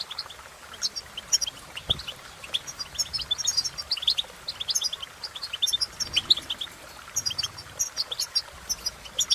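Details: Cheerful goldfinch singing: quick sequences of bright, high twittered notes and short trills, pausing briefly around the middle before resuming; a soft thud near two seconds and a low background rumble.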